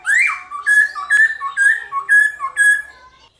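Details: Black-throated laughingthrush singing a morning fighting song: one rising sweep, then about seven clear whistled notes, each with a short slide, at roughly two per second in a steady, chanting rhythm. No other sounds.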